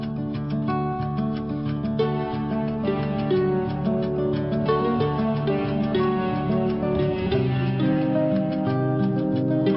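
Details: Loud plucked-string music, harp-like or zither-like, with a steady rhythm of notes and no animal sounds.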